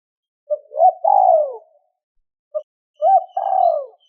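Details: Two-ending (2 hậu) call of a spotted dove, used to lure wild doves: two phrases, each a short coo then a longer descending hoarse coo, separated by nearly two seconds of quiet.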